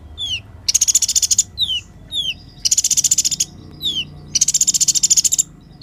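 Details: Clear song of a kolibri ninja sunbird: thin downslurred whistles between dense, high buzzy trills about a second long, repeated three times.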